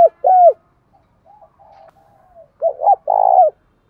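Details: Spotted dove lure call, Đồng Thổ voice, combining gáy gọi, thúc and gù to attract wild doves; two loud falling coos, a stretch of soft murmuring, then a rapid double coo and a long rough coo.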